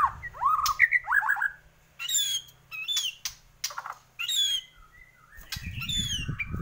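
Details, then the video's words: White-rumped shama of Borneo, singing energetically, kept as a tutor for home birds: rich rising and falling whistles, then high, thin slurred notes in short bursts separated by pauses, with rumbling noise near the end. "Murai Borneo Gacor"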